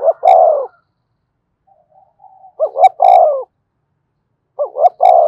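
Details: Decoy spotted dove rousing a newly trapped caged dove. It gives the tail of one coo, a soft murmur, then two full phrases of two short rising hoots and a long descending coo.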